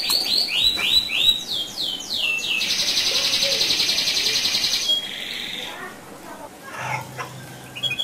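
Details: Canary singing a bait song meant to set other canaries singing: loud descending whistled sweeps repeated rapidly, then a long dense buzzing roll held for about two seconds, followed by softer twittering notes and a brief low hum.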